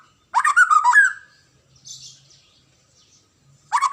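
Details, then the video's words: White-rumped shama, a popular Indonesian cage bird, delivering one loud warbled phrase ending in a slurred whistle, followed by a faint soft chatter and the start of another phrase. "KICAUAN MURAI BATU INI"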